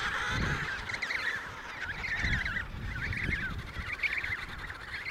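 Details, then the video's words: Emperor penguins in the Riiser Larsen colony, Antarctica, November 2010: repeated quavering, trilled calls in short bursts, one after another across five seconds, with gusty wind thumps underneath. "Emperor penguins of the Riiser Larsen Colony"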